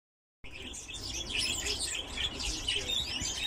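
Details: Captive lesser short-toed lark, a species rarely kept in collections, singing a fast, continuous twittering song of bright chirps and trills after a brief silence at the start.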